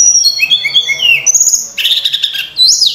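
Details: Sunda robin (Myiomela diana) in a rich, fast song of high whistled notes, sliding and warbling phrases broken by buzzy trills, with no other sounds; the song is played as a lure and tutor song for cage birds.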